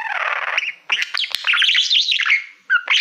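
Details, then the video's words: Male budgie kept as a pet, warbling to his reflection in a silver plaque: a buzzy grating note, then a burst of squeaky chirps and twisting whistles, ending in a short chirp. "Budgie singing to Youtube Playbutton - Cookie sounds"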